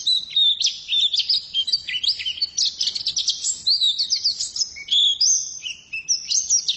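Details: Varied, loud high song of a female white-eye, mixing rapid chattering runs with sustained thin whistles and sweeping slurs.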